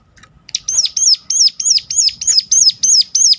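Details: Sunda warbler (ciblek gunung) calling sharply to provoke other birds to sing: a steady run of nine or ten piercing high notes, each rising then falling, roughly three per second, after a soft start.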